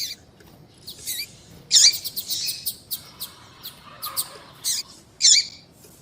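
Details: Calling female double-collared seedeater, a sound used by breeders in female-calling tournaments: high thin chirps and quick downslurred whistles in scattered bursts, loudest in two sharp clusters.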